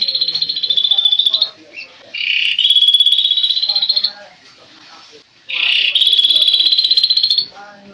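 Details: A tame, actively singing kaso-kaso bird gives long, high, buzzy trills of about two seconds each, a rapid dry rattle repeated after brief pauses, with faint background chatter.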